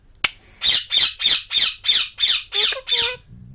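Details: Loud-mouthed pet bird indoors lets out eight harsh, raspy squawks in steady rhythm, about three per second, the last two carrying a lower tonal edge; a man then says "good boy".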